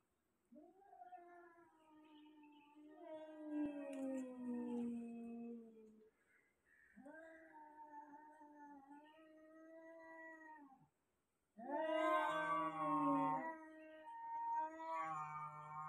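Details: African grey parrot imitating cat sounds: drawn-out, wavering meows and caterwaul-like wails in three bursts separated by short pauses, the last burst louder and more strained.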